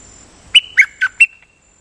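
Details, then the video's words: Decoy-song phrase from a Dok Taeng bird with lak-boen doubling. Four clear, strong whistled notes about a quarter-second apart, each sliding slightly downward, followed by silence. "เสียงต่อนกดอกแตงEp.205 จ้าวขุนศึกนานๆพาออกที ลักเบิ้ลเรื่อยๆ"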